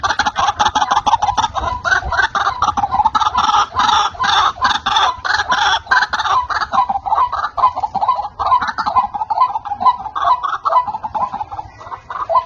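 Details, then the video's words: White-breasted waterhen lure call used for trapping: a long, rapid series of loud, harsh croaking and clucking notes in an uneven rhythm, with a low background hum throughout. "SUARA BURUNG RUAK RUAK PIKAT"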